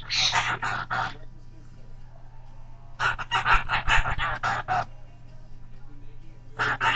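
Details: Pet Goffin's cockatoo, a thirteen-year-old male, babbling in his own made-up language: three bursts of rapid, raspy, syllable-like squawks separated by pauses, over a constant low electrical hum.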